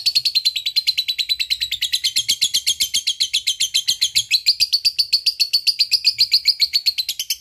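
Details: Long ngekek chatter from a lovebird, meant to coax reluctant lovebirds into song: rapid, even-paced harsh high notes repeated continuously for over seven seconds, the pitch dipping midway and lifting again.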